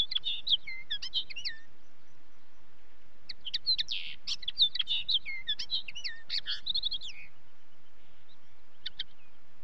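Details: Common linnet singing: bursts of rapid twittering, chirps and short rising and falling whistles mostly high-pitched, one phrase near the start, a longer run in the middle, then a few isolated notes at the end, with quiet low background hum.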